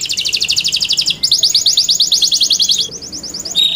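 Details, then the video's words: Yorkshire canary singing for competition: continuous fast rolling trills at a high pitch, briefly broken and resumed, ending with a short sustained note. "YORKSHIRE CANARIES COMPLETE SOUND MATERIAL SUITABLE FOR VOTING COMPETITION"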